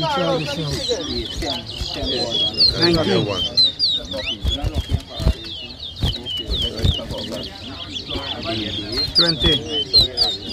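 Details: Caged towa towa birds in a whistling competition in New Amsterdam, Berbice, Guyana, 2023: continuous high, slurred whistles and quick trilled phrases pour out over loud crowd chatter and talking.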